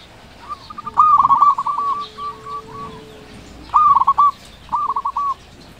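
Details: Loud local zebra dove, kept as a lure to stir quiet doves into calling. Gives one long, rippling, bubbly coo, then two shorter stuttering phrases after a pause. A faint low steady tone sounds in between.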